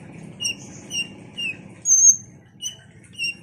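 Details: Ruby-cheeked sunbird used as a lure to stir other sunbirds into singing: thin high whistles repeated roughly every half second, one louder piercing note near the middle, over a faint low hum.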